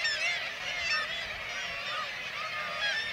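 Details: Kittiwakes in Varangar, Norway, as white-tailed eagles hunt their chicks; an intense wall of overlapping nasal, rising and falling calls, loudest near the start and around one second.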